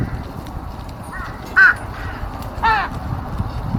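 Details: Crows bickering at their food on 13 March 2026: a faint caw, then a clear sharp one, and a harsher, broken caw about a second later, over steady low background noise.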